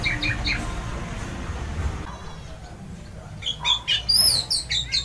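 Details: An orange-headed thrush delivering its loud 'ngeplong' song that sets other birds singing. A few sharp notes open over rumbling background noise, followed after a pause by a lively burst of high, varied whistles.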